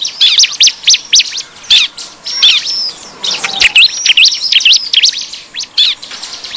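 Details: Bar-winged prinia lure recording of noisy 'ribut' calls, used to draw wild prinias: dense, rapid high chirps and sweeping whistled notes that overlap and tumble over each other throughout, with a few brief clicks.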